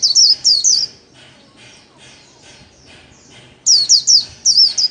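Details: Kept white-eye singing the 'líu' style solo used for daily training. Quick high whistled bursts open the recording, a quiet gap of about two and a half seconds follows, then the rapid shrill notes resume.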